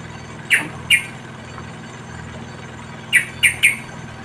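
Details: Yellow-vented bulbul chicks in the wild, fed by a parent, utter sharp single chirps, two at first, then a quick trio after a pause, over a faint low hum.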